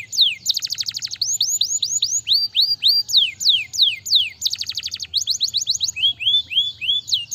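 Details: Continuous canary song for stimulating lazy singers: quick downward-slurred whistles alternating with rapid rattling trills, ending in rising whistled phrases.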